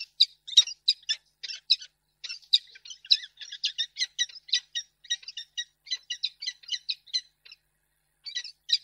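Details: Female peregrine falcon in Reda, 10 March 2022, turning down a gift: a near-continuous string of brisk, high chipping notes repeated several times a second, with a short gap near the end before the calling resumes.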